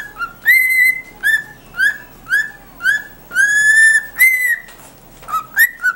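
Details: A pet cockatiel whistles the intro of Adam Lambert's song "Naked Love" in clear, rising and level whistled phrases.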